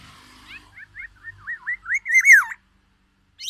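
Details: Black-naped oriole from Sumatra copying white-rumped shama: a string of wavy warbled whistles growing steadily louder and higher over two seconds, then a pause and one sharp note.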